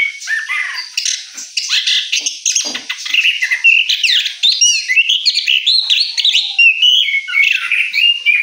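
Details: An orange-headed thrush, kept as a cage bird and singing after its moult, gives a fast, rich run of varied whistles, trills and mimicked phrases, high-pitched and continuous with hardly a pause.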